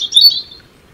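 A European robin gives one brief, high, thin warbled phrase that trails off quickly, with a quiet background.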